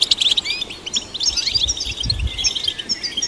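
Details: Quick run of European goldfinch song, played to stimulate goldfinches: high tinkling chirps and short slurred whistles tumble together, with a low rumble of background noise underneath.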